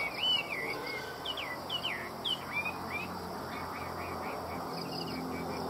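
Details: Chinese hwamei sold in Vietnam sings continuously: rich whistled phrases with curling, slurred notes, some loud and sharp, then a softer repeated series of short rolling notes, against faint background hum.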